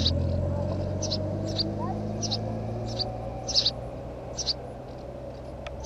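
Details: House sparrow giving short, bright high chirps in irregular pairs and singles over about six seconds, above a steady low hum and background rumble.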